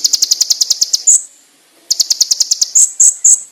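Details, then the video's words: Master song of a konin for training: quick strings of high ringing notes ending in a few louder, piercing whistles, with a short quiet pause midway. "MASTERAN BURUNG KONIN ISIAN MEWAH FULL TEMBAKAN TAJAM NYARING JERNIH"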